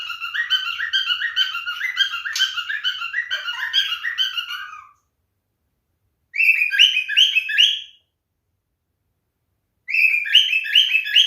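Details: Male cockatiel giving its mating song: bursts of rapid, repeated warbling chirps with strong harmonics, about five seconds long, then a short gap, a second burst, another pause and a third burst.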